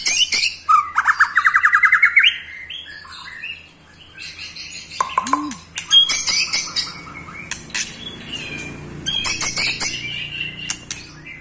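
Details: Ketrekan of an eight-month-old white-rumped shama, meant to rile other shamas: a rapid rising rattle opens, then scattered sharp high notes and whistles, with a low background hum and a voice-like sound.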